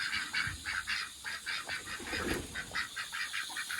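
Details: Excited domestic ducks calling while their pond is being filled with water: a fast run of nasal, honking quacks, roughly two per second, over the steady rush of running water.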